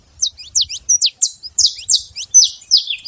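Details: Saffron finch singing freely in nature: clear, high, sliding chirps that start spaced and then quicken into a buzzier, faster run, against a quiet background.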